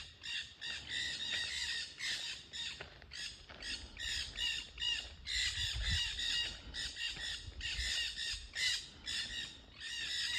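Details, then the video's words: Noisy parrots along a nature trail; harsh, raspy squawks repeated rapidly, more than two per second and irregular, forming a near-continuous chorus of grating calls. "Noisy Parrots on the trail"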